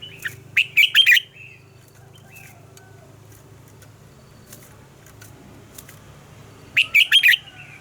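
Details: Morning song of a red-whiskered bulbul in mature wild double-note style, used to train other birds; two short, fast bursts of bright, tumbling whistled notes several seconds apart, with a quiet gap and faint distant chirps.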